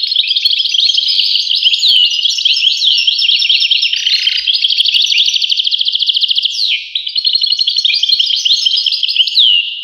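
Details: European goldfinch in long, unbroken song of jingling, tinkling notes and rattling trills, with a short dip about two-thirds through before the chatter carries on.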